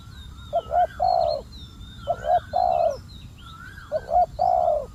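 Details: Restless spotted dove at a decoy site, repeating a three-part coo: two quick soft notes, then a long hoarse one, three times, with high twittering from other birds overhead.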